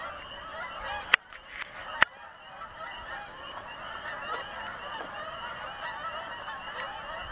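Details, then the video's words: Canada geese passing overhead above a house, with a chorus of many overlapping nasal honks. Two sharp clicks sound near the start, then the honking continues evenly. "Les outardes qui passent au dessus de ma maison!"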